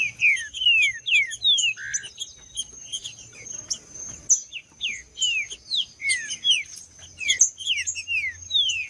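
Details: Green-winged saltator singing in fighting mode: repeated short descending whistles in quick succession, a brief buzzy note early on, and a steady thin high tone throughout.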